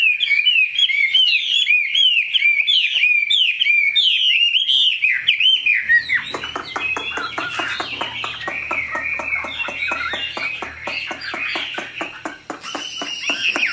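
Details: Large purebred caged Chinese hwamei repeats bright, rising whistled notes about four times a second for several seconds, then breaks into a rapid, scratchy chatter of clicks and warbles with a low background hum.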